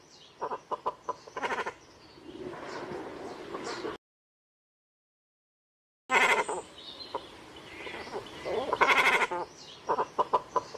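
Great cormorants give hoarse, bleating croaks in short bursts, with rougher guttural grunts between, as though several birds are calling together. The calls break off briefly midway.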